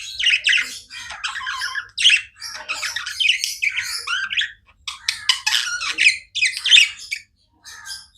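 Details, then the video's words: Pet budgerigars chirping nonstop: dense bursts of scratchy warbles, squawks and quick chirps in overlapping chatter, broken by short pauses, apparently several birds together. "Budgies non stop chirping sounds"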